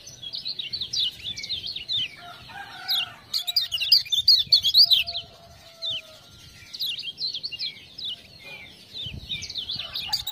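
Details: Kept Lemon-bellied white-eye from Lombok, a tutor bird, in full song after ciak-ciak prompting calls: fast high twittering runs of slurred notes, a loud peak near the middle, pauses, then more bright chattering phrases.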